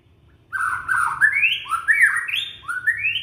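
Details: Young white-rumped shama from Indonesia, sung to prompt silent shamas into song. It gives a rich, warbling run of whistled phrases that slur upward in steps, loud and clear over a low background hum.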